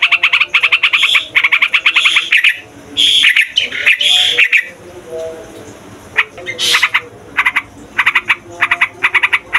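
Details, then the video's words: Trucukan, a long noisy rolling song for luring wild trucukan, tutoring young birds and prompting others to sing: loud bursts of rapid repeated chattering notes, broken by short pauses and a few sharp whistled squawks. "TRUCUKAN RIBUT BUAT PIKAT, MASTERAN DAN PANCINGAN TRUCUKAN PAUD DAN OMBYOKAN"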